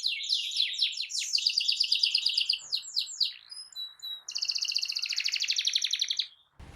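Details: Continuously singing canary, played to coax a silent bird into song: rapid descending chirps and sweeps, a few sharp whistled notes, then a steady buzzy rolling trill that stops abruptly.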